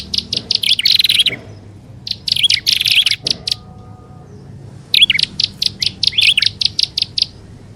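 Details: Prinia lure sound mixing prenjak alang-alang with upper and lower prenjak: two harsh buzzy bursts, a quiet pause, then a steady series of sharp chip notes repeated several times a second.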